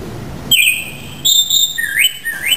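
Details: Japanese thrush giving clear, high whistled notes. A sustained tone is followed by a break, then several short whistles that slide upward from a lower pitch. The notes are separated by brief pauses, with a quiet background.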